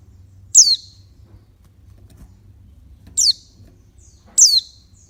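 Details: Female oriental white-eye uttering stimulating calls aimed at males: three short, very high squeaky notes sweeping downward, the last two closer together, over faint low background noise.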